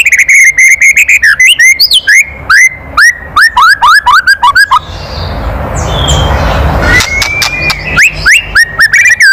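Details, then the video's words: White-rumped shama, murai batu, giving loud kretekan calls meant to stir other birds into singing: rapid upslurred whistled notes in bursts, a pause with a soft background hiss, then more rising whistles. "SUARA KRETEKAN MURAI BATU KERAS MEMANCING EMOSI"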